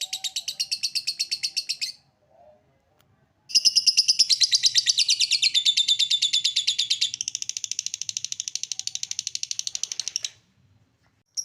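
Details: Lovebird ngekek trill used to prompt other lovebirds: a two-second chattering burst, a pause, then a loud long rapid chatter of harsh high notes that steadies and fades out after about seven seconds.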